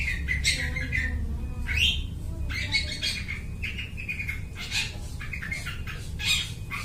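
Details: Long-tailed shrike in loud song, copying other birds' voices, used as a lure for bird trapping: a varied medley of clear chirps, short upward-swept whistles and scratchy notes, with a low background hum throughout.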